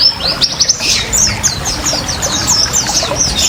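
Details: Lively oriental white-eye song in ngriwik ngalas style, a lure and therapy sound for caged birds, with a rising opening whistle then quick high descending notes over gently trickling water.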